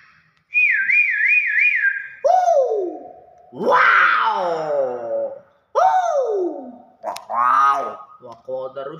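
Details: Hill myna mixing a four-part wavy whistle with falling whistled slurs and rough, voice-like talking sounds in a repeated sequence.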